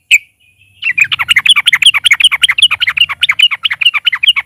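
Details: Yellow-vented bulbul singing loudly in chatty 'narung' style as a lure for other bulbuls: one sharp note, a pause, then an unbroken stream of fast, bubbling, varied notes.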